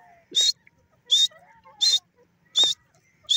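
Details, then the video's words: Grey francolin (teetar) call: five loud, rasping, ringing notes evenly spaced, over soft whistles and chirps from other birds. "teetar ki awaz,teetar awaz,teetar sound ,teetar voice"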